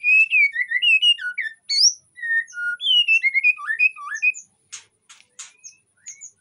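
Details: White-rumped shama in breeding condition in an Indonesian aviary, singing to lure other shamas: rapid varied whistled phrases sliding up and down, then a few sharp harsh rasping notes near the end.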